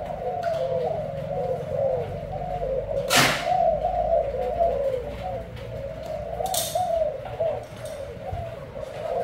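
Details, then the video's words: Spotted dove of the Thai type, white heart and black collar, in booming 'bo' cooing style: low, continuous, rolling coos that waver steadily through the recording, broken by two brief sharp noise bursts. "Cu gáy thái tim trắng cườm đen bo đùng đùng"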